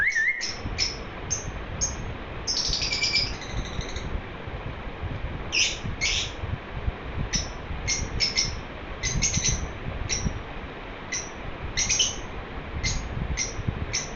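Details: Pet lovebird chirping happily at length: a rising squeak opens, then a long series of crisp, high chirps, some doubled or in short chattering runs, with gaps between, over low household hum.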